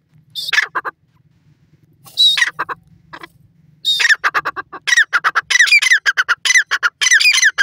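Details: Grey francolin calling: loud, harsh squawking notes come first in short bursts and then in a fast, accelerating run of bright repeated phrases, with brief silent gaps.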